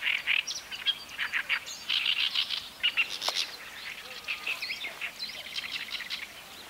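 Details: Japanese swamp warbler singing in reed beds at the Watarase retarding basin, Japan, with several birds calling from all around; a busy run of short chirps and buzzy notes in bright bursts, fading toward the end.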